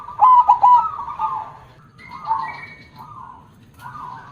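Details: Loud, deep KONG-voiced zebra dove song. A strong stuttered coo phrase opens and runs into a soft rolling tail, then several fainter, breathy coos follow.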